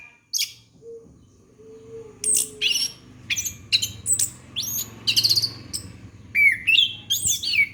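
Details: Orange-headed thrush song used to prompt a young bird: a continuous, varied medley of sharp whistles, slurred squeaks and chatters for several seconds, over a low background hum with a few soft low tones.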